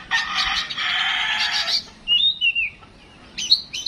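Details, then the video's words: Home-kept white-rumped shama, a Bangkok-style caged bird, singing: a dense buzzy harsh burst of notes, then clear sliding whistles and sharp chips after a pause. "tes mintal burung Kacer rumahan"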